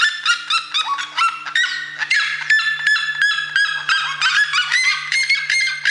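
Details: Red-legged seriema calling in a fast, shrill series of yelping notes, some slurred downward, delivered in irregular bursts of roughly three per second over a faint low hum.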